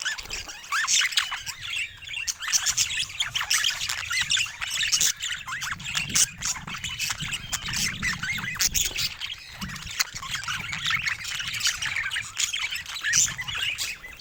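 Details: A group of budgies chatters nonstop for a long stretch. Overlapping warbles, chirps and squawky notes pulse in uneven bursts over a faint low rumble.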